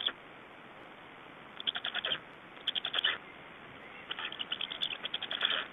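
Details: At a black stork nest in Estonia, change-over and feeding on 24 May 2012 in the evening: repeated high, rasping call series in short bursts, growing busier toward the end, with faint clicks.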